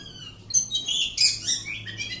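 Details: Oriental magpie-robin kept at home, singing a rich burst of loud, high whistled and scratchy notes that sweep up and down, with overlapping phrases and a low steady hum underneath.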